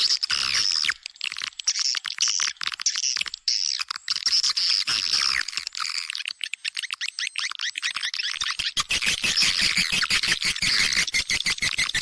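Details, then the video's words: Swiftlet-house lure sound: a constant, busy mass of high chirping twitters from many birds, steady throughout, becoming a sharper, rapid ticking chatter in the last few seconds, with nothing below a high register. "Âm thanh nhà yến, tiếng gọi chim yến"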